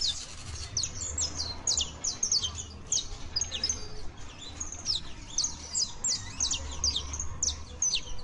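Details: Saffron finch, known locally as canario basto criollo, offered as a song for keepers' birds to learn from: dense run of high, sharp chirps and short downward slurs, many overlapping, continuing throughout with a low hum beneath.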